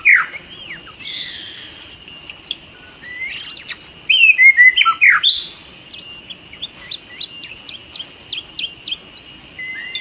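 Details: Wild white-rumped shama recorded during trapping, giving a burst of loud whistled and slurred notes midway, mixed with scattered sharp chips and a steady high insect drone throughout.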